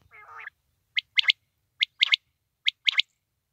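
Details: Quail calling: a short harsh squawk opens, then sharp clicky notes in quick pairs and triplets, the groups spaced about a second apart, over a silent background.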